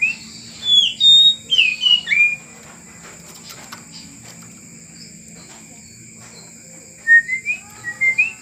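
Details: Kacer, the oriental magpie-robin, in training to be tame: a rapid run of high, sharp, varied notes at the start, a quiet gap, then rising whistled phrases returning near the end.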